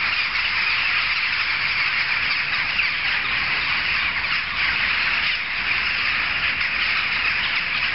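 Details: Many jackdaws together keep up a steady, clamorous chatter of short, harsh calls. The group could be heard from several streets away, and the din barely rises or falls.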